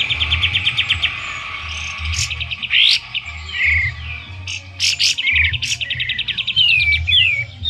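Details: Sooty-headed bulbul kept at home, singing actively and used as a lure bird, though not yet fanning its tail; bright descending whistled sweeps mixed with fast buzzy trill runs, over a low pulsing hum in the background.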